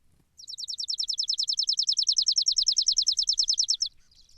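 A sparrow gives a fast, dry trill of about thirty high, even notes, roughly nine a second, lasting over three seconds against a quiet background.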